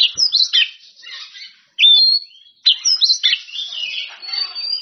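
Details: Oriental magpie-robin in song, singing loudly to call out rivals; high whistled phrases and sharp downslurred notes with rapid chattering, broken by a short pause, then a long varied run of sweet whistles.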